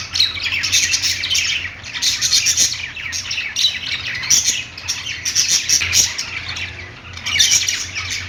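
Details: Several budgies playing, their rapid scratchy chirping and squawking coming in close clusters with brief lulls, a soft hum beneath.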